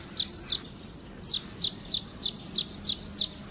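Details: High, clipped chirps from an ashy prinia repeated rapidly about three times a second in a steady run, with a brief gap near the start. The song is a training recording resembling ciblek semi, with light background hiss.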